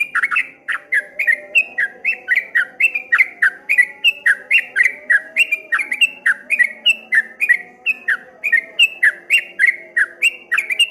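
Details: Long steady run of streak-eared bulbul song in the 'ropel ngombak banyu' style, even series of short falling whistles near four per second, sustained without break over eleven seconds.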